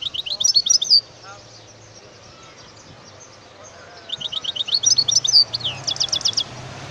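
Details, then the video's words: European goldfinch, recorded in 2018, singing two bursts of rapid, high, tinkling twitters and trills with liquid, chirpy notes, separated by about three seconds of quiet. "اسمع واستمتع صوت الحسون 2018"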